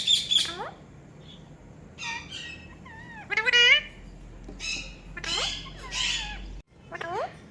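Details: Pet talking Rose-ringed parakeet chattering in short bursts: sharp downslurred squeaks, a wavering nasal note, and clusters of harsh chirps spread over several seconds, with a faint low hum in the background.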